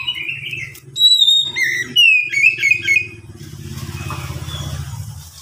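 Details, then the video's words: Oriental magpie-robin song used as a lure to start other magpie-robins singing; a series of loud slurred whistles over steady low engine rumble, which takes over after about three seconds. "Pancingan Kacer agar cepat bunyi"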